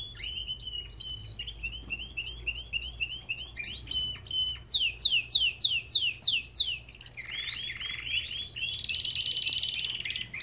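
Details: Loud Belgian canary song in an aviary: strings of rapid slurred chirps and whistles for several seconds, then a rich, buzzing rolled trill toward the end, with a steady low hum behind.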